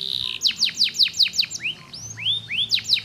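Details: Faba canary singing, played daily to encourage lazy canaries to sing: a quick run of steep descending whistles followed by slower rising slurred notes, then another rapid burst.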